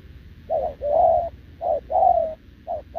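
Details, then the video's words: Short-legged wild-caught spotted dove giving continuous cooing beside a decoy bird, recorded 6 November 2024: paired hoarse coos, a short note followed by a longer wavering one, repeated about once a second over a faint low hum. "gù liền với mồi Đồng TT"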